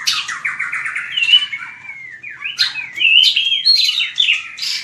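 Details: White-rumped shama giving fighting song used to train birds: a run of quick descending slurred notes, then a long falling whistle and bright upslurred phrases, varied and loud.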